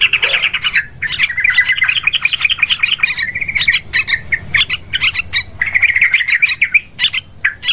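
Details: Lure recording of yellow-vented bulbul for hunting birds in forests, rice fields and plantations; long stream of fast babbling chirps and warbles in several uneven phrases.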